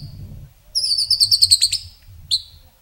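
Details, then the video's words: White-rumped shama (murai batu) giving a rapid, even run of high piercing notes lasting about a second, followed after a pause by a single sharp whistle; low rumbling background noise. "Masteran Murai isian mewah tembakan panjang panjang super pedas | shama bird song"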